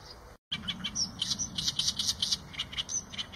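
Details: Eurasian tree sparrow giving lively, high chirps in quick succession after a brief gap of silence at the start.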